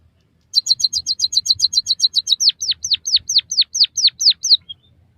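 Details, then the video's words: Song of white-headed munia (bondol haji) meant for training captive birds. A brisk series of about fifteen high, sharp ticks gives way to nine loud whistles, each dropping steeply in pitch. "suara burung emprit kaji gacor masteran burung pipit bondol haji biar ngeroll"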